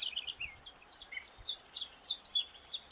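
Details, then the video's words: Saffron finch of Brazil's native fauna singing a fast series of sharp, high chirps and short slurred notes, bursts coming several times a second with brief gaps between phrases. "Canário da Terra"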